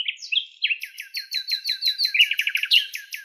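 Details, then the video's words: A common nightingale sings in its natural habitat in Greece: a rich phrase of a few whistled notes, then a fast rattling series of sharp, high, clear chips, about five per second. "ΑΗΔΟΝΙΑ ΚΕΛΑΗΔΗΜΑ η ΣΥΝΑΥΛΙΑ με ΑΗΔΟΝΙΑ - COMMON NIGHTINGALE SONG"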